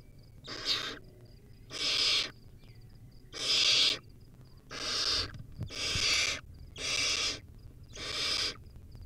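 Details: Barn owl chick, wild and feeding on a rodent at a camera-watched nest, gives seven long, raspy hissing screeches spaced about a second apart. A faint, steady high chirping sounds underneath.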